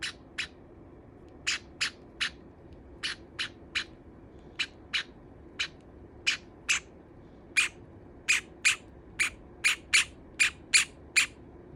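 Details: Caged pet Java sparrow protesting a companion that pecked and nibbled its feathers: quieter clipped chirps at first, then building into a faster, louder string of sharp notes toward the end.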